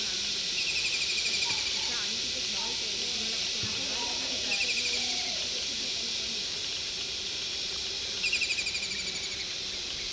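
Kingfisher giving three bursts of rapid, high, rattling trills a few seconds apart, over a steady hiss of background noise and faint distant voices.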